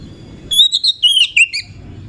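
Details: Oriental magpie-robin lure song for exciting other magpie-robins: one short phrase of clear high whistles, quickly rising and falling, lasting about a second.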